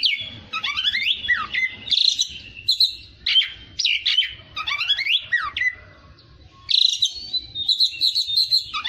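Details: Oriental magpie-robin (kacer) trained toward fighter song: repeated phrases of descending rattling trills and buzzy whistles, broken by short pauses, over a faint low background rumble.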